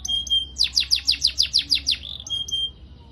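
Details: Canary singing for youngsters in training: a thin steady whistle, then about ten sharp descending chips repeated five times a second, ending in another short pure whistle and a soft tail note.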